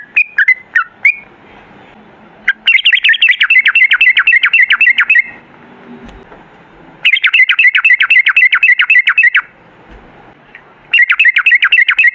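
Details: Trucukan, or sooty-headed bulbul, recorded as a lure for long 'ropel' singing: a few opening whistles, then three bursts of fast, scratchy rattling chatter, each lasting about two seconds, separated by short quiet gaps.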